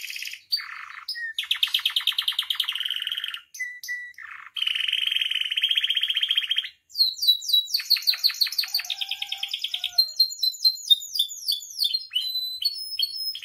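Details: Long canary song phrase meant to train and stir caged canaries, full of varied sections: buzzy rolling trills, short flat whistles, then quick rattles and rapid chirped notes running to the end.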